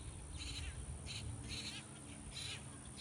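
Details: Adult grackle feeding its chicks; the chicks give harsh, raspy begging bursts, about four in three seconds, over a steady low rumble of wind or traffic.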